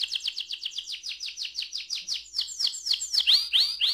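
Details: Canary of the AF type singing a long roll: a fast, even train of short descending whistled notes at about five per second, building into louder, sharper upswept notes toward the end.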